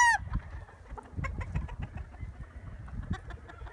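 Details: Chickens clucking in quick, uneven short notes over low rumbling background, with the tail of a high crow cut off at the very start.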